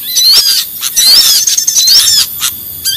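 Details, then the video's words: Noisy lure call of small birds: dense, overlapping high twitters and chirps with quick rising and falling whistled slurs, packed closely with no pause. "Suara Pikat Burcil Ribut Paling Sadis"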